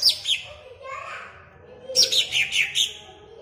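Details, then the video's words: Greater green leafbird in a cage in Ampelgading, Pemalang, singing to rouse other leafbirds: a couple of high chirps, a soft lull, then a quick run of bright, down-slurred whistles. "BUAT CUCAK IJO MU CEPAT EMOSI DENGAN PLAY VIDEO INI"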